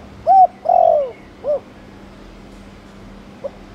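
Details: Spotted dove of the Thổ Đồng type giving chiêu and gù cooing, used to stimulate other doves to coo: one phrase of a short note, an arched coo, a long falling coo and a final short coo, then quiet.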